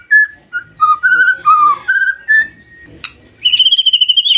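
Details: Morning magpie-robin song played to make a quiet bird respond: a sequence of clear, separate whistled notes at shifting pitches, a short sharp click, then a high rapid trill.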